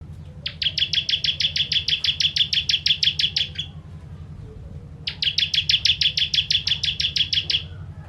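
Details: Bar-winged prinia (ciblek) singing a 'tembakan pedas' style song used as a master for training songbirds: two bursts of rapid, evenly repeated high chip notes, about eight per second, each lasting roughly three seconds, over a steady low hum.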